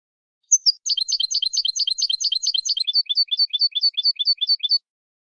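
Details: Canary singing malagueño-style song from a training CD for educating young birds: an opening whistled note, then fast repeated high chirping syllables that shift to a slightly lower, steadier trill, with no background noise.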